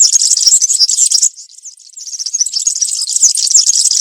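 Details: Country-style campero song of a European serin in the forest, used to tutor young birds: a shrill, glittering trill breaks off after about a second, falls quiet briefly, then resumes as a dense, high, fizzing jingle.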